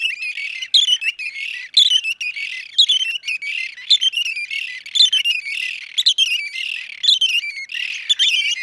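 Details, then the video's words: Somali wild red-and-white barbet (dhiirran) calling: rapid, rhythmic bursts of squeaky, chattering notes roughly every second, stacked and overlapping as if several birds join in, clean background. "Dhiirran ( red and white barbet)"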